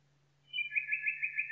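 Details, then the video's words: Nightingale in a forest launching a fast, throbbing trill: a high note opening into rapidly pulsed, evenly repeated notes, about five per second, with a low hum underneath. "Пение Соловья в лесу Singing Nightingale in the forest"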